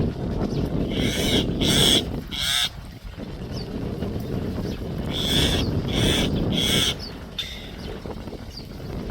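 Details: Common myna giving its alert call: harsh, raspy bursts repeated in two groups of three, each about half a second long, over steady low rumbling background noise with faint thin chirps between.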